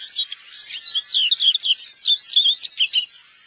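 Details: Eurasian siskin, a wintering finch in Korea, giving dense high twittering: rapid overlapping chirps and short trills run almost continuously for three seconds, slurred notes rising and falling, with no other clear sounds.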